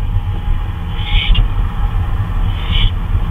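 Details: Night recording from 2:39 AM on May 26, 2013 of an owl on a flyabout: two brief, rough screeches about one and a half seconds apart, with a heavy low rumble underneath.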